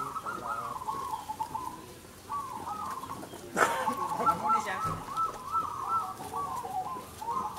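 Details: Zebra doves, local crossbred birds, singing in a singing competition: soft rapid cooing trills in stuttering phrases, several birds overlapping, with a sharp loud click midway and faint voices in the background.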